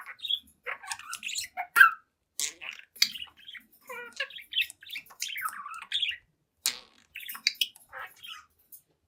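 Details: Pet budgerigar, seven months old, chattering to its reflection in a mirror indoors; busy, uneven warbling made of ticking clicks, gurgles and squeaky chirps, with a few sharper notes standing out.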